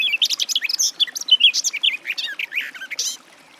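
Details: Garden warbler song, a continuous, hurried stream of sweet warbling notes rising and falling, mellow and chattering, lasting over three seconds before fading.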